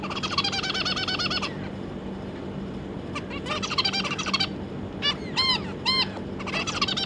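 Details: Two adult zebra finches with three juvenile babies, July 2022: bursts of fast, buzzing, nasal song alternate with gaps, and several separate arched beep calls ring out between the phrases.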